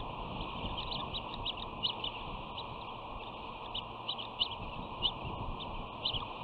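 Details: Bald eagle nest at West End, June 2019: a young female gives her returning sister a hostile greeting, holding her wing with her talons. Quick, high, clipped notes follow one another in an uneven series over hiss.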